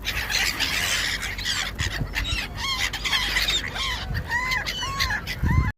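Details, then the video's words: A flock of gulls at dinner squeals and mews over one another in a dense, overlapping chorus, with short arched cries repeating roughly every half second above a steady background rumble. "seagulls dinner"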